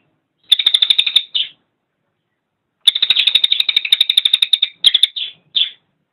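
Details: Cililin song in two bursts of fast, dry chattering notes, high and rattling, each burst ending in a few short slurred notes, with a silent gap between.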